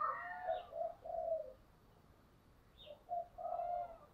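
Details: Spotted dove 'chìm' lure call: a few low, mellow coo notes in two short bursts separated by a quiet pause, over faint background hiss and brief higher chirps from other birds.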